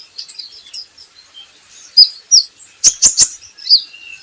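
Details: Kolibri ninja, or Van Hasselt's sunbird, used as a lure recording to make birds sing: soft high whistled notes, then a loud rising chip and three sharp clicks near the end.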